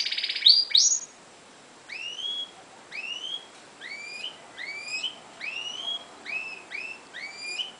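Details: A European goldfinch × canary hybrid, bred from a canary and a goldfinch, sings a string of bright, high whistled notes that swoop up then drop, repeated about twice a second after a brief harsh burst.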